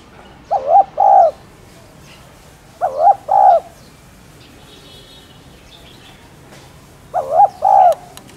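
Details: Spotted dove (cu gáy, cu đất) cooing, played to provoke other doves into cooing. Three soft, low, hollow two-part coo phrases, each a short note then a longer rolling one, spaced about three seconds apart over quiet background hiss.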